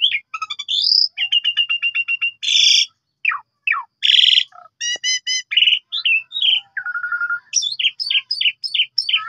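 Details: Song of the Asian pied starling, played as a training lure for other songbirds: fast mixed phrases of sliding whistles, rattling pulsed notes, harsh buzzy blasts and a run of descending whistled notes near the end.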